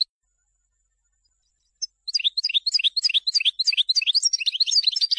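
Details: European goldfinch song for teaching young birds, a continuous rush of quick, liquid, high twittering notes repeated several times a second, bright and slightly rasping, starting after a short silence.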